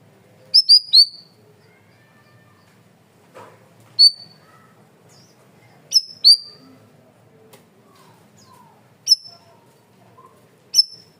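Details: Cream-vented bulbul masteran recording, loud and clear: a rapid triple of sharp high notes, then scattered single and paired chirps spaced a couple of seconds apart, with faint softer sounds between.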